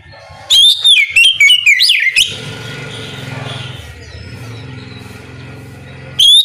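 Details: Oriental magpie-robin's ngeplong song at morning, a prompt for other magpie-robins to answer: a loud phrase of quick sliding whistles, then low rumbling noise, with the song starting again at the end.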